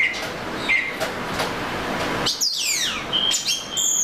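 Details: Oriental magpie-robin song: a few thin whistles, then a rich burst of descending slurred notes followed by high sustained whistles.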